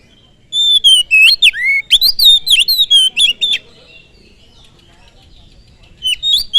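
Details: Oriental magpie-robin singing to provoke other birds: a fast string of loud whistles, rising and falling slurs and sharp chips lasting several seconds, then a pause and a final short phrase.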